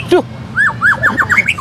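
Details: A young-adult white-rumped shama at a bird-singing competition gives a rapid run of loud, slurred whistles that arc up and down, opening with a harsh squawky note.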